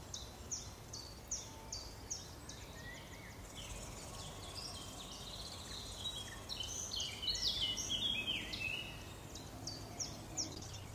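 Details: Great spotted woodpecker chicks being fed by adults on Cannock Chase beg with high, thin, rasping calls, about three a second and louder in bursts, over a steady outdoor hiss.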